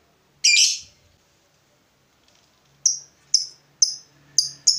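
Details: Fighter lovebird replying to a rival: one harsh squawk, a pause of two seconds, then a run of five short, sharp, ticking chirps in quick succession.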